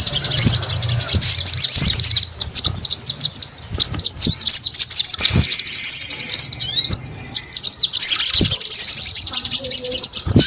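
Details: Long bout of sogon singing, with high looping arched notes repeated in regular series and short breaks, staying lively for about ten seconds.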